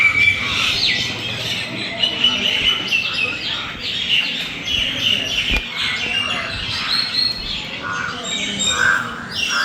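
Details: A banyan tree full of birds, calling all at once: a busy wash of bright chirps, tweets and short whistled phrases overlapping without pause, plus a brief sharp click midway.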